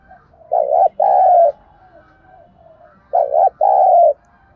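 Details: Spotted dove decoy call, thúc gù style, for luring birds to the trap: two loud low phrases, each a brief coo followed by a longer, slightly falling one, about 2.5 seconds apart, with soft murmuring in between.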